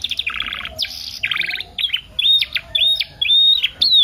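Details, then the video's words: Canary song offered as a tutoring lure to prompt other canaries into singing: dense buzzy trilled bursts at the start, then sharp upswept whistles and short chips following one another in quick succession. "PANCINGAN KENARI PAUD FULL ISIAN SUPER ISTIMEWA"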